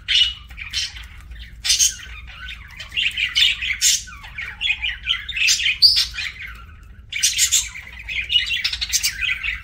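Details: Budgie chattering while eating, rapid varied chirps, scratchy squawks and brief whistled notes in a near-continuous stream, low hum in the background.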